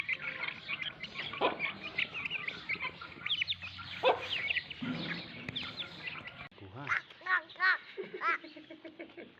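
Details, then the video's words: Lasani mother hen calling her chicks: a busy stream of thin, high chick peeps fills the first part, then a series of low, resonant, evenly spaced clucks follows near the end. "Mother chicken sound for Chicks"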